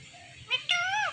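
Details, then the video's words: Talking rose-ringed parakeet: a faint short harmonic note, then a louder, strained, speech-like syllable of about half a second with a nasal, slightly falling tone, over a quiet background. "Talking Parrot Saying Mummy Paapa"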